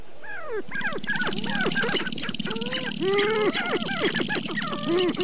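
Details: Several sharp-tailed grouse on their dancing grounds at Namekagon Barrens, northern Wisconsin, in mid-April, recorded from a blind around dawn at about 23°F. They call together in overlapping rising-and-falling whines and hollow coos over a steady low buzzing rattle, unbroken for over five seconds.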